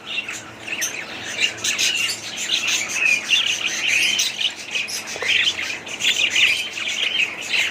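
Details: Budgerigars keep up an excited chattering warble, quick twittering chirps and whistled slides packed tightly together, with occasional louder sharp notes standing out.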